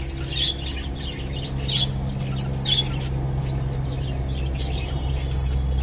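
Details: Japanese budgerigar eating kolmi shak, water spinach, with clusters of bright chirps and short squawky notes in uneven bursts, set against a constant low droning hum.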